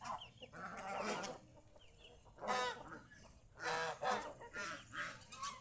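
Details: Geese kept at home, out in the fields around the house enjoying nature; nasal, harmonic honks in four bursts of about a second, with faint high chirps in the gaps between them.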